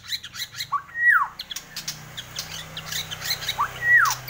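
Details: Borneo white-rumped shama in active song: two loud, sweeping whistles, each rising and then falling steeply, spaced about three seconds apart, with soft chatter and a low hum between them.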